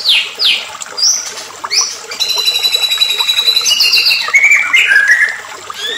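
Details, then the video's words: White-rumped shama in excited song, recorded as a lure to stir other shamas into singing: sharp falling whistles, then a dense buzzy rattling stretch ending in short warbled phrases. "PANCINGAN MURAI BATU EMOSI"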